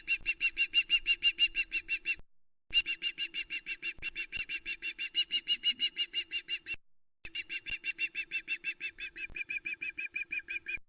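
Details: Female osprey calling at the Loch Arkaig nest on 1 Sep 2020 as the male brings a live flatfish, recorded by nest cam: rapid, evenly repeated high piping notes, about three per second, in long runs with short pauses, over a steady low hum.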